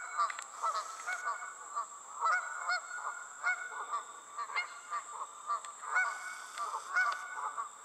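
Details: A flock of geese flying over calls continuously, overlapping harsh honks several per second from different birds, with a constant high hum behind them.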